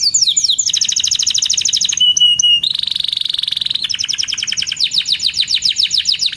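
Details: Canary in vigorous song: falling chirps, a long buzzy rattle, a pure steady whistle, another rattling trill, then fast repeated descending notes.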